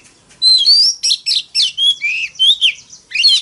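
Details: Oriental magpie-robin fighting song, a loud continuous phrase of sweet rising whistles and quick slurred notes, about seven linked elements in three seconds after a short silence.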